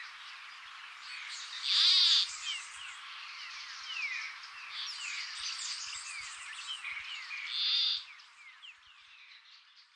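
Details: Peruvian plantcutter, endangered, northern Peru: two short raspy nasal croaks about six seconds apart, set against a dense background of chirping and trilling birds.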